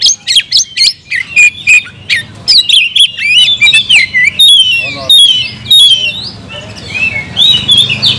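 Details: Kept oriental magpie-robin singing energetically, a dense stream of sharp clicks, harsh squawky notes and bright whistled slurs, many short bursts about twice a second, later shifting into longer rising and falling whistles.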